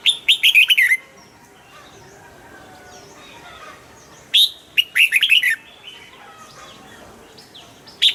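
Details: Red-whiskered bulbul kept in a cage, singing two rapid rollicking whistled phrases about four seconds apart, plus a lone note at the end; soft twittering of other birds in the background.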